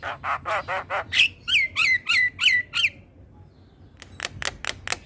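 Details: Buzzy rasping calls repeated evenly by a male Javan myna lead into a set of clear down-slurred whistles, then silence and a fresh string of harsh strokes; the bird sings hard while nodding.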